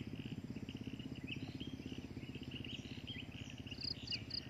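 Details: Adult drongo kept for breeding utters a stream of quick chattering notes and short slurs, ending in bright paired high notes, over a constant low pulsing hum.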